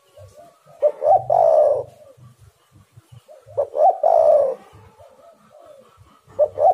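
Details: Spotted dove (tekukur) lure call for making doves sing: hoarse phrases of two or three clipped notes ending in a longer throaty coo, repeated every three seconds, with low soft murmurs beneath.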